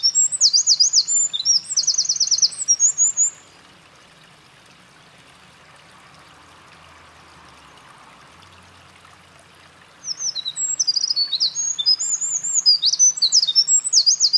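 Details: Eurasian wren singing loudly at a mountain pass on 28 April 2024, a bird that had been carrying nest material; two bursts of rapid high trills and warbled notes, separated by about six seconds of quiet with faint stream noise.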